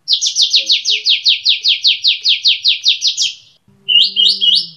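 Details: Olive-winged bulbul giving its long 'tembak' rapid-fire song: a fast series of about fifteen buzzy downslurred notes on one high pitch, then a pause and three rising whistled phrases over a faint low hum.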